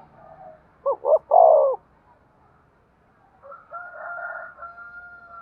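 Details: Spotted dove coo used to stimulate breeding: two brief mellow notes, then a drawn-out falling coo. A softer drawn-out call with steady tones, like a distant rooster crow, follows a second later.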